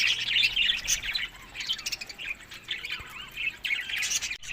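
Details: Budgerigars eating summer food between May and June chirp in quick warbled bursts, short bright notes coming in clusters with small gaps between them.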